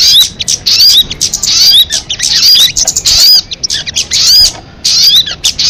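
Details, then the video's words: Crested jay voice: scratchy, buzzy chatter in irregular bursts, threaded with thin rising whistled notes, the phrases returning about once a second. "Suara MP3 burung sogon"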